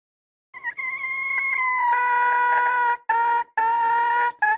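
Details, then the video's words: Red junglefowl hen gives a long, strong, harmonic cry that holds steady for over two seconds. It is followed by three shorter, equally loud bursts in quick succession. The recording is otherwise quiet. "Poj qaib seev zoo heev li _ສຽງໄກ່ປ່າ . ไก่ป่า"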